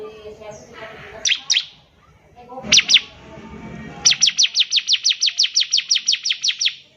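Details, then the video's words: Bar-winged prinia in lively song for young birds to copy: a few paired high chips, then a long fast trill-like string of roughly fifteen sharp, regular notes, with low background murmur early on. "CIBLEK GACOR || SANGAT COCOK UNTUK MASTERAN CIBLEK PAUD BELAJAR BUNYI"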